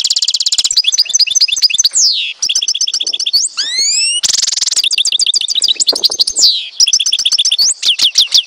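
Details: Algerian European goldfinch from Tizi Ouzou in full song. Rapid, bright, buzzy trills are strung together with little pause, broken midway by a few clear upward-sweeping whistles, then more tinkling, chattering phrases.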